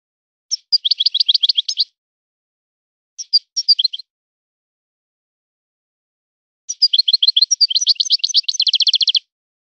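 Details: Goldfinch song, 'son of the forest' style from Morocco: twittering bursts, a short broken phrase, then a long fast sequence ending in an even, rattling trill, with a clean background.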